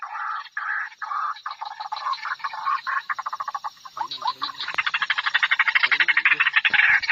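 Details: Female white-breasted waterhen calling, played to lure birds from cover: rough croaking bursts speeding up into a rapid, steady stutter, with a few lower grunting notes partway through.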